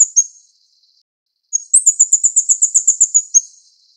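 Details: Taiwanese plain flowerpecker, Dicaeum concolor uchidai, at the nest feeding chicks; a short high note opens, then after a pause a rapid run of about fourteen sharp, high-pitched ticks, steady and bright, trailing into faint hiss.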